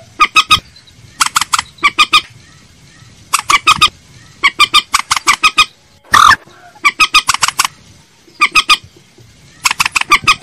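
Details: Common moorhen lure call: steady rhythm of clucking bursts, three to six notes each, repeated roughly every second, broken once by a single harsh, loud squawk.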